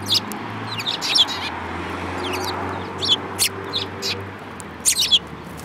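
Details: Several Eurasian tree sparrows, including a yellow-beaked one, on 7 March 2018 give bursts of sharp high chirps separated by short pauses, with a faint low hum beneath.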